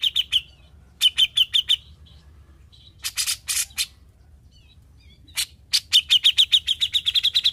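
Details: Cucak jenggot, or grey-cheeked bulbul, once silent and now vocal, in 'besetan' style: short volleys of fast, repeated high chirps alternating with scratchy rasping notes, ending in an accelerating string of bright chips.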